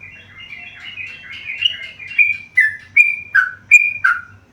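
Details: Actively singing tame yellow-vented bulbul delivers a continuous warbling run of rich, bubbling notes that breaks into five loud, separate whistled phrases, some rising and some falling, roughly every half second toward the end.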